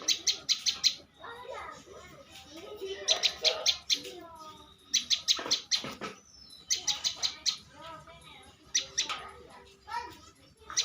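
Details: Champion bar-winged prinia giving short bursts of rapid, sharp chipping notes at irregular intervals, mixed with softer warbles and twittering from other birds in the background.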